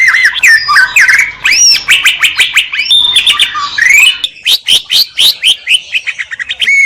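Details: Greater green leafbird pouring out a rich, rapid song of whistled slurs and up-and-down sweeps, with a string of quick, regular sharp notes toward the end.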